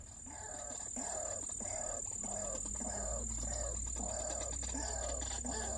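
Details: White-breasted waterhen at a trapping site where one was snared by the neck: repeated nasal, throaty notes, roughly three per second, rising and falling in a steady chant over a constant high electronic-like whine.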